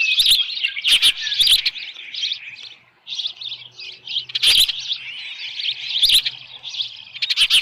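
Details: Osprey at its nest at Dunrovin Ranch holding a headless fish, evening of 10 June 2018: bright piping chirps in quick runs, a brief lull near the middle, then more chirping with occasional knocks.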